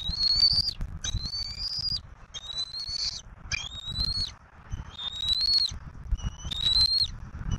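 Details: At a southwest Florida bald eagle nest on 15 March 2024, the parents bring a turtle and the eaglet is fed. About six thin, high whistles, each rising slightly, come in a steady run over low rumble and rustle.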